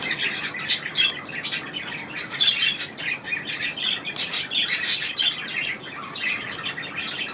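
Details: Budgerigars bathing indoors in a budgie room on 25 May 2018; steady busy chattering with rapid chirps and buzzy notes throughout.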